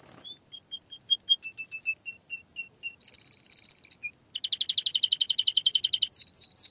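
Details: Canary singing a varied song: rapid whistled note series, then a fast buzzy trill, a lower rattling run and sharp rising notes at the end.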